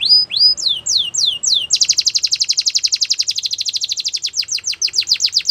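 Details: Canary singing to train young canaries: four rising whistled sweeps, then a long, very fast, even trill that slows slightly toward the end.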